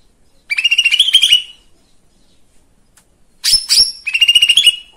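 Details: A lesser green leafbird's song, played to provoke other birds into singing. One fast trill, a pause, then two sharp high whistles leading straight into another rapid rising trill.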